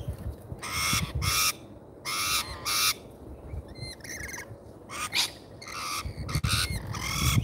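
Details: Rainbow lorikeets at an Australian feeder on a live camera; harsh, raspy screeches in irregular bursts about once a second, mixed with brief higher chirps and low rumbling background noise.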